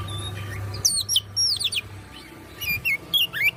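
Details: Oriental magpie-robin singing excitedly with its tail fanned open: varied clear whistled notes and slurred high phrases, bursts of bright chirps separated by short pauses, over a low steady hum.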